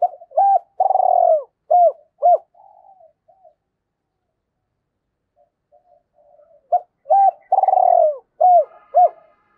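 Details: Decoy spotted dove cooing in the deep-voiced thổ style to lure other doves: low hooting phrases of short rising-falling coos and a longer rolling coo, repeated, with a quiet pause between two phrases.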